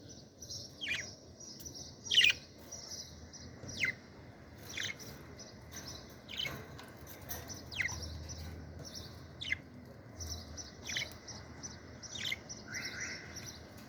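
Budgerigars chirp a morning greeting of quick, bright, down-slurred notes about once a second.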